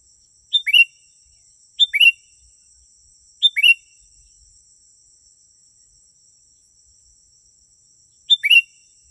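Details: Sooty-headed bulbul song meant to attract wild bulbuls: three quick bubbly whistled phrases in succession, a pause of several seconds, then one more phrase, all over a thin constant high-pitched tone.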